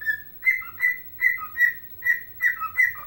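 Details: Chelsea Dagger whistled by a dancing pet bird, with rhythmic clear notes repeating roughly every third of a second, high held tones each followed by short lower dips, over a faint hum.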